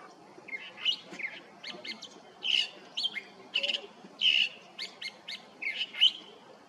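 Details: California thrasher in song at Ascot Hills Park, El Sereno, California, December 19, 2021. A steady run of mixed phrases with chattering bursts, harsh notes and ringing whistles, each phrase different and delivered in quick succession.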